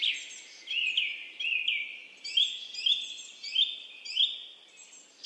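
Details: Greater yellownape calling: a series of bright, high notes that rise and fall, each lasting about half a second and repeated roughly every 0.6 seconds. Other birds chatter in the background throughout.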